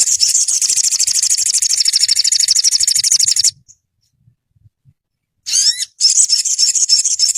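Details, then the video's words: Ruby-cheeked sunbird (sogon) training recording for caged birds. A loud, rapid high trill for three seconds, a silent gap, then thin rising notes and another dense, fast high trill. "Dalam hitungan menit burung sogonmu ikutan gacor dan ngeleper"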